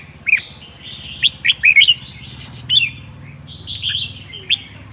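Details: On a cold day in Son La, a red-whiskered bulbul gives a broken run of short, warbling whistles, scattered singly and in small clusters with quiet gaps between them.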